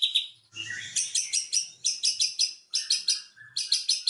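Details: White-rumped shama lure song to get a silent bird singing: very high, rhythmic chattering bursts in groups of three or four, with a soft low whistled note running beneath some of them.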